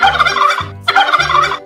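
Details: Turkey giving two rapid, rattling gobbles, each about half a second long, with a short pause between them, over a low musical backing.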